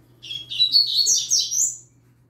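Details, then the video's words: Young yellow-bellied seedeater singing alongside a green-winged saltator; a short, fast, high twittering phrase of slurred, warbled notes lasting under two seconds, over a faint low steady hum. "Papacapim Novato Cantando Com Trinca Ferro Relâmpago"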